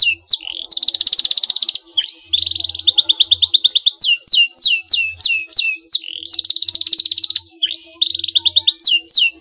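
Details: Canary challenge song meant to make a rival respond: rapid buzzy trills of tightly packed notes alternate with bright descending whistled swoops, delivered loudly and almost without pause.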